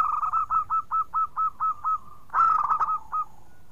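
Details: Active local zebra dove song, clear and loud, used as a lure for birds that have stopped singing: about ten evenly paced short coos, then a louder, faster tumbling burst of notes, over a steady background tone.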